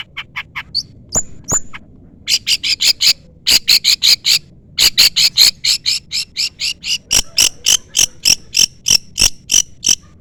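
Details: Long-tailed shrike in a rival-calling lure, in full voice. A few thin whistles open, then a long, fast series of grating, buzzy notes in pairs and short runs continues to the end.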